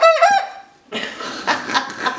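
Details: A young adolescent Buckeye rooster, recovering and trying to stand, is coaxed to crow at mid-morning. He gives a brief, hoarse, cut-off crow that flattens out, followed by a person speaking. The crow confirms he is male.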